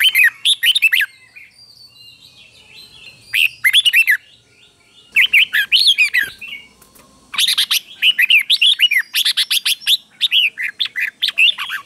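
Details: Red-whiskered bulbul, a caged bird with double song, meant for young birds to imitate; clustered runs of sharp, fast whistled notes in several bursts, a quiet stretch early on, and dense continuous phrases toward the end.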